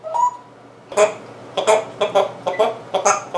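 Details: African grey parrot making funny sounds: a string of short, harsh, squawky notes with rich overtones, one soft whistled note first, then bursts roughly every half second in an indoor setting.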